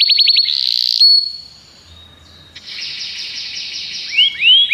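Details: Common canary in song: quick high notes, a sustained buzzy tone, a thin whistle, then a fast rattling trill ending in looping upswept whistles.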